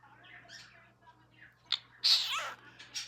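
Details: A pet cockatiel gives soft chatter, then sharp, hissy fake sneezes, the loudest near the end.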